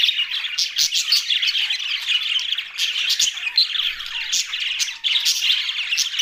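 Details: Flock of budgies giving a constant busy chatter of mixed warbles, short chirps and scratchy squawks, many birds overlapping with no clear gaps.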